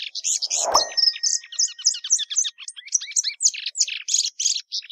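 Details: Plumbeous seedeater pouring out a rapid, varied song of high chirps, buzzes and down-slurred whistles, with a short low knock near the start.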